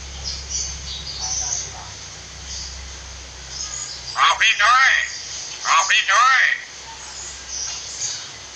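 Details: Common hill myna talking, used as a training recording to teach another myna to speak: two bursts of speech-like harmonic phrases, one just after four seconds and one just before six seconds, over steady high chirping of small birds and a low hum.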